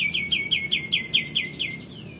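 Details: Male white-eared bulbul singing actively, a recording meant as tutor song for magpie robins and white-rumped shamas: about ten sharp, high notes in a fast, even series, each dropping slightly, gradually fading toward the end.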